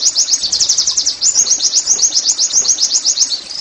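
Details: Caged Oriental white-eye, played to get other caged birds singing; a fast, steady run of thin high whistled notes, each sliding up and down, repeated nearly four times a second without pause.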